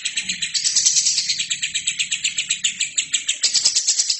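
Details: Short burst of a lovebird's energetic, high, buzzy chatter, recorded to train other birds; notes run together in a fast rhythmic pulse, swelling loudest in the first second.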